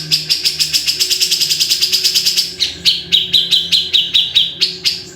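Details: Grey-cheeked bulbul song: a long fast rattle of crisp ticks, followed by a lower run of rough, slightly whistled notes repeated roughly three times per second.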